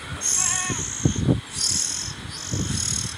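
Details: Oriental magpie-robin feeding its young, seen close up: three loud, high, raspy hissing bursts, each under a second, with thumps and rustling of movement beneath.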